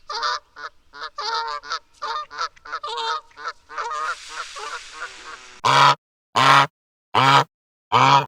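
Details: Canada goose in Canada honking: a run of quick, nasal cackling honks for five seconds, then four loud, harsh honks spaced about a second apart.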